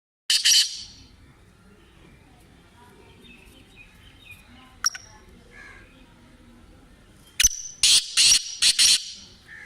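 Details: Black francolin, known as kala tetar or Sindhi tetar: a harsh, grating, broadband note at the start, a long quiet gap with a faint click, then a rapid burst of four loud rasping notes near the end.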